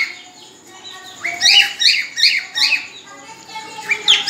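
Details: Cockatiel ready to breed giving its mating whistle: a quiet start, then a run of bright, rising whistled notes with harmonics, repeated roughly every half second. A few softer chirps come at the end.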